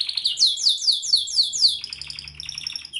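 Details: A canary delivers five loud descending sweeps in quick succession, followed by a softer fast chattering trill.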